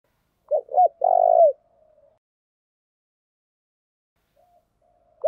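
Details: Fighting call of a spotted dove, a lure call used to stir rival doves: one phrase of two quick hooked coos and a long, slightly falling coo, then a soft trailing note and near silence.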